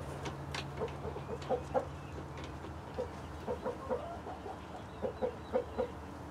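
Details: Flock of hens, including Light Brahma, Barred Plymouth Rock and White Leghorn, with a Rhode Island Red rooster: soft, low clucks in small bursts of two or three, about a dozen notes, over steady low background hum.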